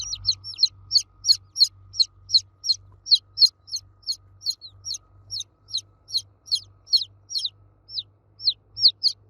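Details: Loud cheeping of baby chicks calling for the hen, a dense, regular stream of shrill descending peeps from more than one chick, little background besides a low hum.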